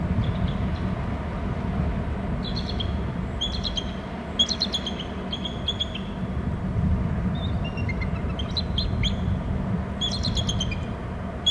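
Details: Bald eagle at its nest territory on Hornby Island, flying in from the lower left and calling, looking wet, on 17 April at 16:20; thin, high, stuttering chitter series repeated several times over heavy low rumbling wind or surf.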